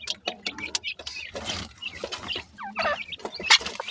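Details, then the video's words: Young grey francolin chicks keeping up a loud, fast stream of thin peeps and downward-sliding chirps, with tapping, rustling and scratching close by. "pheasant chicks talk,baby partridge are big great,titur k bachay"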